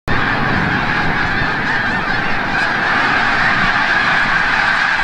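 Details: Large flock of snow geese returning from the bay at sunset at Forsythe National Wildlife Refuge, Oceanville, New Jersey; a dense, unbroken chorus of overlapping nasal honks with a steady low rumble underneath.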